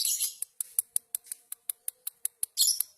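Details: Lovebird in a singing duel, a champion at sub-district level, giving a quiet run of sharp, high clicking chips, about six per second, with a brief louder chattering burst near the start and another near the end.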